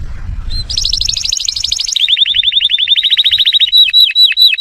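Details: Atlantic canary song meant to teach young birds and stimulate males to sing: a loud, very fast high trill, then a lower rapid trill of repeated down-slurred notes, ending in slower swooping whistled notes, with faint low background rumble at the start.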